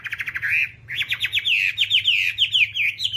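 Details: Whambie singing as a tutor recording for songbirds: quick ticking notes, then a rolling series of loud, slurred whistled phrases repeated rapidly, each sweeping downward, with a constant low hum behind.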